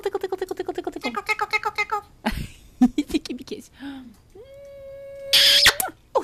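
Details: An Eclectus parrot, apparently repeating "tickle tickle" as its owner teases it indoors, rattles off a fast string of speech-like syllables, then gives breathy squawks, a long steady whistle and a harsh burst.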